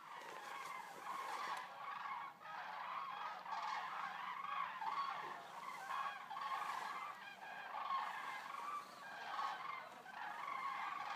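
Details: Resting flock of about 200 Eurasian common cranes arriving at a stork centre in Racconigi, Italy; a dense continuous chorus of overlapping loud trumpeting and honking calls from many birds, with no pauses.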